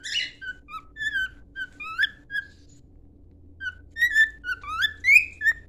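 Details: Training song of a cockatiel: a busy series of bright whistled notes, many sliding upward, in two bursts separated by a short pause, over faint low background hum.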